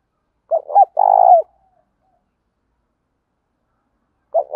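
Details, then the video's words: Spotted dove coo for encouraging captive doves to sing: a pair of brief hoots, a long vibrating coo falling at the close, then a pause of about three seconds before the next phrase begins. "tiếng cu gáy thúc bổi"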